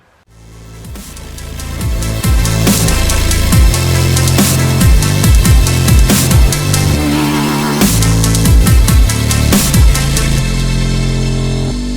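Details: Loud electronic dance music with heavy bass and pounding drums, and no animal sounds.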